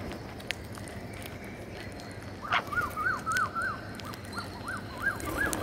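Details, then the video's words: Green parakeet during feeding: one sharp note, then a quick run of about ten short, arched, tonal chirps, some in closely spaced pairs, over a steady low rumble. "Green Parakeet Feeding"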